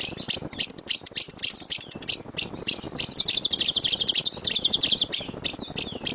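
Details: Lovebird chattering in 'tembakan' style, from a master recording for training birds: shrill chips interrupted by fast rattling bursts, with a few slurred squeaks between them.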